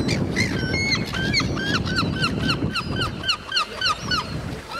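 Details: Many seagulls being fed at Cramond near Edinburgh call rapidly, a string of clear, down-slurred yelping notes repeated roughly every quarter second, overlapping one another, with rumbling background noise beneath.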